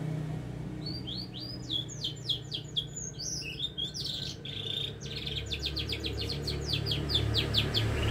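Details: Singing canary, kept as a cage bird, delivering a lively run of high chirps and rapid trills, notes repeated about four times a second, over a steady low hum and background murmur.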